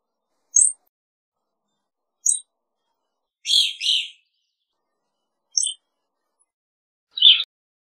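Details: Evening grosbeak calling with short, clear, very high chirps spaced a few seconds apart, a louder doubled burry note in the middle, and a final harsher chip, against a silent background.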